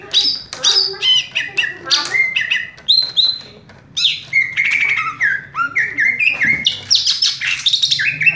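A greater green leafbird sings a fast, unbroken stream of loud, varied whistles, slurred notes and sharp chips, high-pitched and constantly changing.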